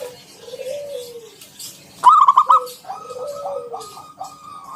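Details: Local wild zebra dove in strong voice, 'ngalun kung bulat' style meant to coax other doves to sing; a soft drawn-out low coo, then a burst of quick bubbling notes and another slurred coo.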